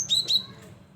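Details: Cinereous tit singing actively, used as a lure for bird trapping: two clear whistled double notes, each a high note dropping to a lower one, given in quick succession, then quiet.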